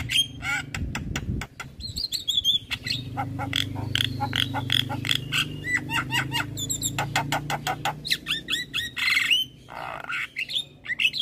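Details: Javan myna singing to provoke other mynas: dense mix of clicks, rattles and short curved whistles in a fast jumble, over a continuous low droning hum.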